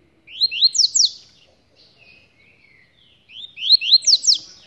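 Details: Held in a hand cage, a rusty-collared seedeater sings two crisp phrases of four rising, slurred whistles each, soft chirps filling the gap, otherwise quiet.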